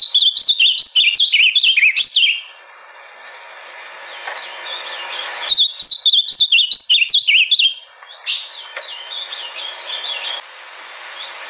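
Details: Ultramarine grosbeak song played to spur a caged bird to sing: bursts of rapid, high, warbled and slurred notes, then quieter scattered chirps, then a second fast warbling burst.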